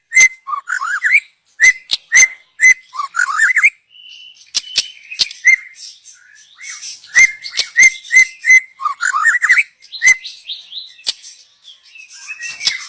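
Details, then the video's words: Young wild forest white-rumped shama song used as a lure, with repeated clear whistled notes alternating with rapid warbled phrases and sharp clicks, including a steady tone midway. "Kicau burung MURAI BATU Muda Hutan. Cocom untuk pancingan"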